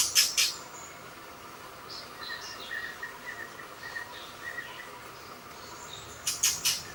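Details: White-rumped shama (murai batu) in a forest, giving a string of short whistled notes in mid pitch, spaced irregularly, framed by loud rasping bursts at the start and end over a steady background hiss.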